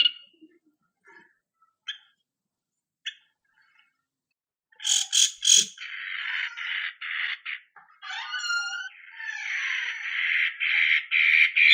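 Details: Lure song of a long-tailed shrike, known locally as cendet matahari, meant to make other birds answer: scattered faint clicks, then loud harsh chattering phrases and a long, rapid, scratchy trill with rising and falling notes.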